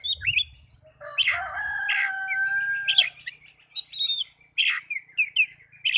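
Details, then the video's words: Oriental magpie-robin song used as a singing lure for caged birds: twittering notes, then a long grating, nasal drawn-out phrase, followed by loud sharp chirps and short whistles in quick groups; low thumps at the start. "Pancingan burung kacer agar cepat gacor"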